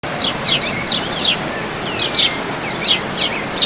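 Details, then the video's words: Birds singing at El Salto, Oratorio Santa Rosa: several high, quick chirps and sliding whistles repeated about every half second over a steady rushing background hiss. "SONIDO NATURAL SE ESCUCHA EL CANTO DE LOS PAJAROS"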